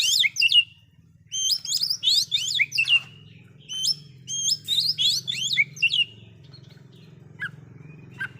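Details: An oriental magpie-robin pours out a loud song that provokes other magpie-robins: repeated bursts of high whistles sliding down into flat notes, several phrases in a row, then a few scattered chips over a low humming background.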